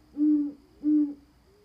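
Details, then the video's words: Owls hooting on a house roof, recorded 29 October 2014: two low, steady hoots about 0.6 seconds apart, each slightly flat and sustained, with faint background hum. "Owls Hooting On My Roof"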